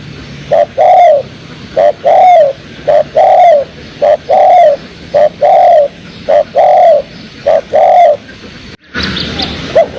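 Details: Spotted dove cooing used as a trapping lure: repeated short-then-long paired coos, soft and low, about seven pairs at a steady rhythm, ending with a burst of hiss and a faint higher note.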